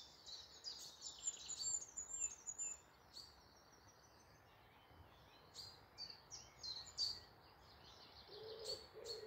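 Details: Morning birdsong in woodland near Malton, North Yorkshire: high, thin twittering phrases from birds at some distance, coming in bursts separated by pauses, over a steady soft background hiss.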